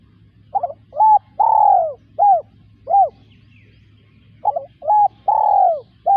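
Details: Two full spotted dove phrases in a row, each a stuttered start, a flat coo, a long downslurred coo and short rounded coos, against a quiet background with a low steady hum.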